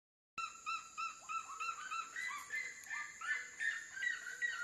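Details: Red-legged seriema singing near water in nature: loud, rapid yelping notes repeated about three times a second, some rising and others falling, with a steady high hiss throughout.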